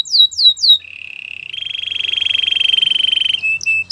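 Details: Belgian canary song: three quick swept notes, then a low buzzy trill that jumps to a higher, rapid rolling trill held for about two seconds, ending in short clipped notes.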